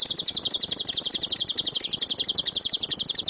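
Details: Lovebird delivering a rapid 'tembakan' series, used as master recording material: high, sharp chip notes repeated evenly and quickly, forming a bright, continuous pulsing rattle.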